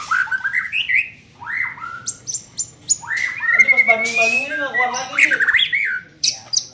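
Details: Young white-rumped shama in training: bright rising whistles and sliding notes, then a harsher rasping passage beneath a long rising whistle, ending with sharp high clicks.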